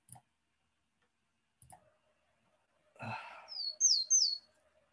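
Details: Willow tit, a wet woodland bird, sings three clear, high whistled notes, each sliding downward, a plain 'pew pew pew', its song being the easiest way to tell it from marsh tit. Clicks and a muffled thump come first.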